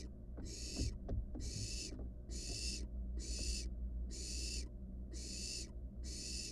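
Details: Nest-box barn owl chick, wild, gulping down a rat. It makes a steady series of seven broad, noisy hisses spaced about a second apart, with scraping and rustling from the nest below.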